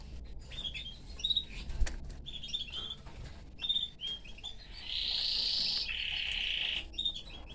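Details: Canary in a cage with his family: scattered sharp chirps and short whistles break off, then a sustained buzzy rolling trill takes over before chirping resumes, with some low background rumble.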